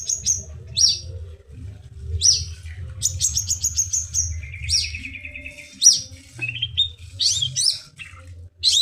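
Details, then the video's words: Long-tailed shrike song for therapy of birds that have stopped singing: varied bursts of sharp high whistles, quick twittering runs and a short lower buzzy trill, over a constant low hum. "cendet gacor"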